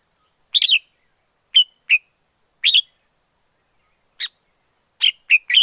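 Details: Short wild red-whiskered bulbul phrases: bright, slurred whistles given singly or in pairs at roughly one-second intervals, ending in a quick three-note cluster. A faint steady high tone is audible throughout.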